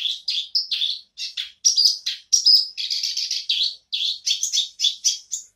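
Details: Black-browed reed warbler in renewed song, stringing together quick rasping notes and short whistled slurs in an unbroken, jerky chattering sequence.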